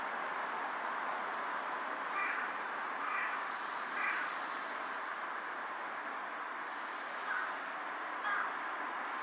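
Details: Series of hoarse caws, three evenly spaced then two more after a pause, from a carrion crow perched on a power line and bowing as it calls, 18 July 2023, over constant hiss.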